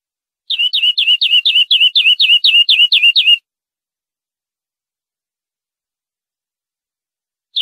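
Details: European greenfinch tutor recording, clean, for training captive birds: a three-second phrase of about twelve sharp hooked notes, each dropping in pitch, repeated at a steady pace, then a long silence before the next begins.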